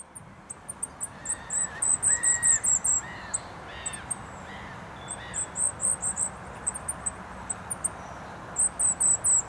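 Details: A goldcrest in bushes at Rooksbury Mill Local Nature Reserve on an overcast 3 December 2017 sings very high, thin, rapid bursts every few seconds, with lower calls from another bird and A303 road noise.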